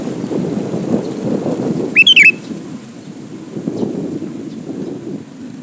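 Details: A male sooty-headed bulbul calls to a female with one brief, clear, bubbling whistled phrase, set against constant broadband rushing noise.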